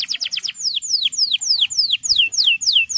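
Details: Male canary's full song for training young birds: quick high notes, then clear downward-sweeping whistles repeated about every third of a second, over a faint low hum.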